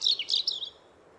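A European Robin gives a brief phrase of high, thin notes that slide down, jump up, then trail off over under a second, with faint background hiss.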